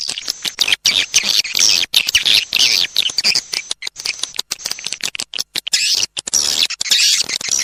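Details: Edible-nest swiftlet lure call, a sound used by swiftlet farmers to attract birds: dense, high twittering chatter with rapid clicks and chirps, nearly continuous with brief gaps.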